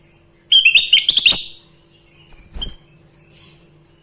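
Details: Sooty-headed bulbul singing, a rapid run of clear whistles that rise in steps over about a second, followed by a brief softer note and faint high chirping.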